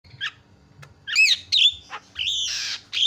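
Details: Javan myna lure recording meant to set other mynas calling: scattered short notes, a brief harsh rasp, then loud overslurred whistles and a burst of broad, scratchy noise.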